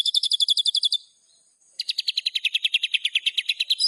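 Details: White-rumped shama giving quick repeated high notes. A brief gap follows, then a slightly slower series of bright, evenly spaced notes that shift a little in pitch.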